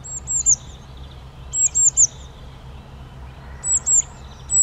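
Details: Eurasian nuthatch calling in loud, very high, sharp down-slurred notes, grouped in clusters of two or three about every two seconds, over a low steady background hum.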